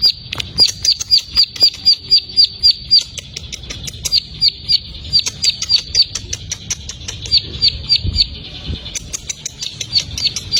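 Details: Plain prinia delivering bursts of sharp, high-pitched repeated notes, about four per second, broken by short pauses between runs, over a quiet low background hum.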